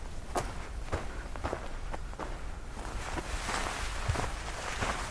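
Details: Footsteps crunching at a steady walking pace outdoors, with low background rumble and no animal voices.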